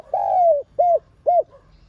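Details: A captive spotted dove's lure coo, a long gently falling croo followed by two short arched notes about half a second apart. The dove is cooing in calling and urging styles.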